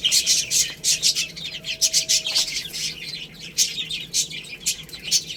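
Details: Baby hens eating rice give strong, regular high peeps, each about half a second apart early on, then a softer chattering chorus with clicks.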